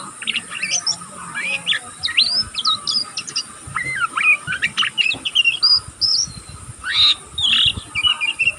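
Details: A young oriental magpie-robin practising its song twitters without a break, a dense run of sharp whistled slurs and quick chirps in rapid irregular bursts, with faint rustling underneath.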